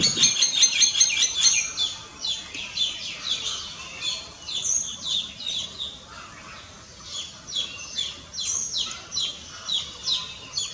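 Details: Common myna, also called Indian myna, a member of the starling family, giving rapid repeated high chattering and squeaky notes, about two or three per second, with a loud burst of sharp whistled notes at the start.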